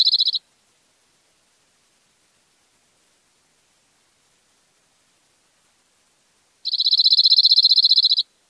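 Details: Cirl bunting (Emberiza cirlus) song in İzmir, Turkey, May 2021: a brief trailing phrase and a long quiet pause, then a dry, rattling trill on one high, even pitch, about a second and a half long.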